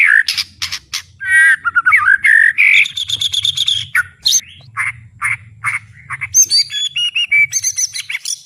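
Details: Full-volume singing from a white-rumped shama with strong fighting spirit; sharp chips, warbled slurs and a held whistle, then spaced clear notes and high thin squeaky phrases, a low hum behind.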